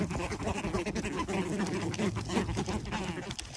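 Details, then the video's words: Wild American white ibises being fed at a lake in Orlando give low, nasal, honking grunts in quick, uneven bursts of about three a second, over a busy background hum. "Funny animal sounds, feeding wild birds, american white ibis"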